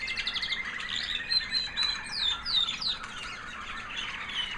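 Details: White American Singer canary hen, proven in 2009 and a breeder last year, singing a high, sweet post-molt song: chirps and trills followed by a run of clear, steep downslurred whistles.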